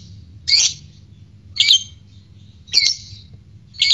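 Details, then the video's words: A fighter lovebird recorded to provoke arousal in other birds: four harsh, shrill squawks about a second apart, each brief and slightly descending, against a quiet low hum. "Pancing Birahi Tes Latah Fighter Lovebird Ngegek"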